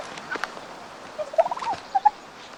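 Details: Domestic tom turkey in a farmyard, angry and preparing for a leadership fight, red wattle swelling: a brief quavering gobble run midway, then two short notes.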